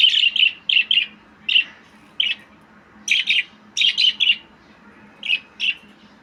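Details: Small brightly coloured parrot known as a budgie, making sharp high chirps in pairs and short trios, repeated irregularly across the recording with short pauses, over a faint low hum.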